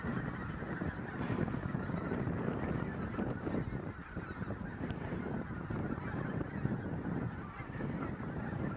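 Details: A large gathering of geese at the Bislicher Insel, recorded 7 January 2014, gives continuous overlapping honks that blend into a thick, low, rumbling chorus, rising and falling slightly in loudness.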